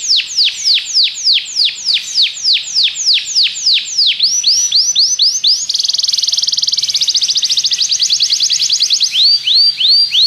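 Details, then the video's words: Belgian canary song used to coax other canaries into singing: a steady series of loud downward-sweeping whistled notes, a rapid high buzzing trill in the middle, then more falling notes. "Canário belga seduz todos os canários para cantar - treinamento de canário"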